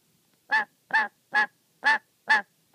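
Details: Angry, wary pet black-capped lory, agitated even when only watched while it plays with its favourite sock; six harsh, nasal honking squawks, about two every second, each short and coarse, in an otherwise quiet room.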